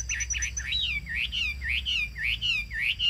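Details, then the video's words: Chinese hwamei kept as a cage bird, repeating a loud looping whistle that dips and then rises, about twice a second, over a faint low hum. "Cao cầu hót tốt - bóng bộ cực đẹp - Họat Họa Mi"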